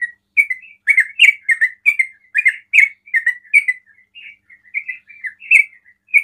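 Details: Continuous ropel song from a sooty-headed bulbul, said to draw other bulbuls into calling: steady, bubbly, warbling chirps tumbling one after another with little pause.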